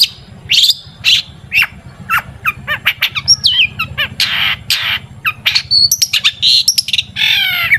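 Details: Long-tailed shrike song used as a lure for making shrikes sing, a varied jumble of harsh scratchy notes, clicking chips and whistled slurs ending in a harmonic squeal, with low background hum.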